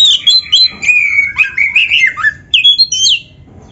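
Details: Oriental magpie-robin singing, recorded to train other birds: a dense run of whistled, warbling notes sliding up and down, then a short pause before a final burst of bright, high whistles.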